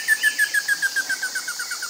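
Slaty Bristlefront giving a fast, even series of short, clear notes, about seven per second, dropping slightly in pitch, with a faint hiss of background insects.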